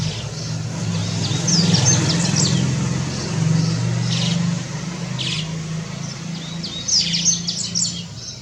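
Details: Yellow-bellied seedeater (papa-capim or baiano) from Brazil singing: short bursts of high, sharp chirped notes and quick trills, spaced irregularly over a steady low rumble of traffic.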